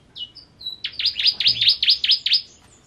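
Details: A few thin introductory whistles from a Kristal bar-winged prinia, then a quick ngentrok series of about eight loud, V-shaped high notes before trailing off.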